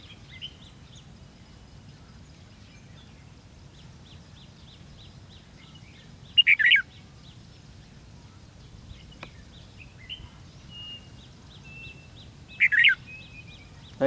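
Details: At a decoy fight trap for red-whiskered bulbuls on 13 February 2016, two loud, bubbling three-note song bursts come about six seconds apart, while softer high chirps from other birds continue in the background.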